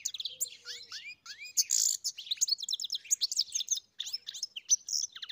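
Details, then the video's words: European goldfinch on a farm delivering a rapid twittering song: rising slurred notes, liquid chirps and buzzy trilled bursts, packed tightly with barely any breaks. "Καρδερίνα μελωδία (Goldfinch carduelis SINGING)"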